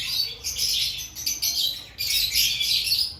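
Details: Captive lovebirds before the breeding season produce short, dense squawking chatter, broken by a brief pause before another loud run of shrill notes.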